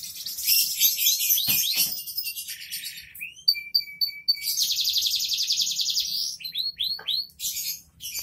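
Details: Canary song in energetic gacor dor style: chattering high trills, sharp clicks, a series of clear ringing two-tone notes, a long buzzy rattle, then quick sliding whistled notes.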